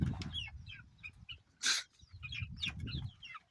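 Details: Chicks peeping in short high chirps over a steady low rumble, with one loud broadband rustle or flutter midway.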